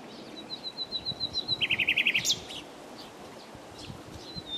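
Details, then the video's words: Common nightingale singing: a run of thin, evenly spaced high notes gives way to a fast burst of about six stuttering, chunky repeated notes, then a sharp rising flourish, followed by quieter scattered phrases over soft background hiss. "BEST NIGHTINGALE SONG,Nachtegaal -Common Nightingale singing,BÜLBÜL SESİ DİNLE"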